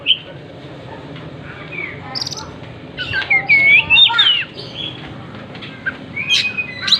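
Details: Oriental magpie-robin singing energetically while spreading its tail; short clear whistled phrases and rising-falling slurred notes come mostly in the middle, with a few sharp chirps near the end over a soft background hiss.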